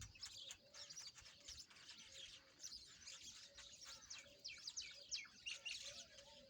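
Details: Several peach-faced lovebirds playing together keep up quick, irregular high chirps and chattering twitters, about three per second, over a low background drone.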